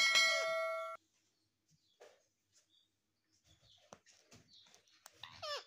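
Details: Pet parrot mimicking the word "mummy": a loud, steady, nasal tone held for about a second with a falling tail, then quiet clicks and taps, and a brief, rising-falling squeaky utterance at the end.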